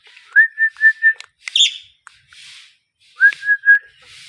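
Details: Parrot whistling a run of four short, even, clear notes, then a harsh scratchy squawk and a soft hiss, followed by another quick series of three whistled notes rising then level.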